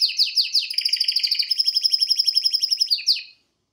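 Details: Male canary singing at home: a few quick, sharp chirps run into a rapid, ringing trill of even pulses lasting nearly three seconds, ending with one last chirp.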